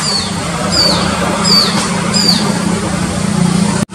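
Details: In Mysore, a wild shikra perched high in a tree by a busy road gives four shrill, falling notes spaced about 0.7 seconds apart; heavy road traffic drones beneath throughout, recorded on a mobile phone.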